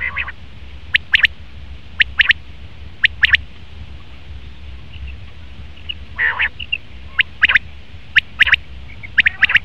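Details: Male common quail calling: sharp, clipped notes in quick pairs and triplets, bursts roughly once a second with gaps between, over a steady low rumble.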